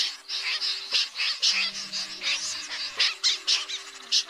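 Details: Lure recording of common snipe flock calling for night-net trapping, August 2024, from two speakers: choppy, rasping, high notes in quick irregular bursts, over faint steady low hum tones.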